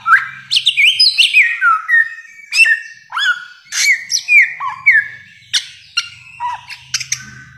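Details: Samyong, the bare-throated whistler, masteran song: a fast varied string of loud whistles, slurred up and down, with sharp clicks between phrases, continuing almost without pause, faint low hum beneath.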